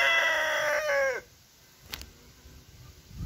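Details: Orpington rooster crowing in a kitchen garden: the crow is caught only at its end, a harmonic-rich, slightly falling note that stops abruptly after about a second, followed by quiet and a brief click.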